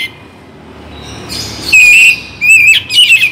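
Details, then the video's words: Oriental magpie-robin song meant to encourage singing, starting after a quiet stretch with a breathy rasp, then loud clear whistles and short rising and falling warbled notes. "Penggacor Kacer Bagong || Pagi dan Sore - Bikin Kacer Lebih Bersemangat Untuk Berkicau"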